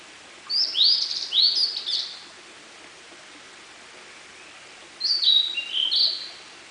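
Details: Blue-and-white flycatcher in song within a dark wood at Munakata, May 2013; two short bursts of sweet, slurred whistles that drop and warble, several seconds apart, with a quiet hiss between them.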